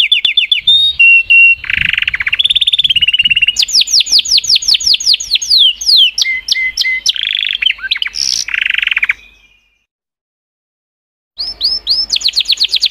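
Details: Canaries singing a long, varied song of rolling trills, descending sweeps and bright chips, broken by a two-second pause before loud upward-flicking notes return.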